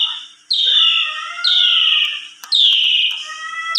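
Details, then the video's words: Asian pied starling whistle from a melodious lure recording for reluctant singers: loud slurred notes falling gently in pitch, each held about a second and repeated roughly three times, with faint clicks between. "Suara Jalak Suren BERDAYU DAYU Seketika Langsung Respon Jalak Suren Macet Berkicau"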